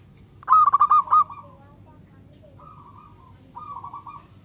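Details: A local zebra dove's song, meant to prompt other doves to sing. A loud burst of rapid staccato coo notes fades into a trailing note. Two fainter, level cooing phrases follow from doves farther off.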